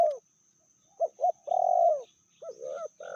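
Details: Spotted dove female, fiercer than the male, medium voice: the fading end of a coo, two short notes, a long loud mellow coo, then softer paired coos.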